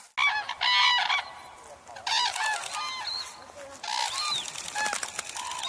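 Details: Red-crowned cranes at a winter feeding ground by the Kushiro wetlands in Hokkaido: bursts of bugling, harmonic trumpet calls from several birds, separated by quieter gaps with fainter distant calling.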